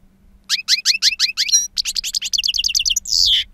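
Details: Wild-song European goldfinch, two years old and prized for a potent timbre: a series of evenly spaced sharp downslurred chirps, then a quicker rattling sequence ending in a harsh buzzy note.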